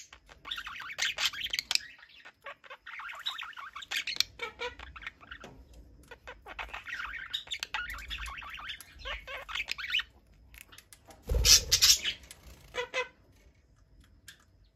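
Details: Two budgerigars kept as pets chatter back and forth: long runs of rasping warbles and twittering, broken by brief pauses, with a louder low thump near the twelfth second.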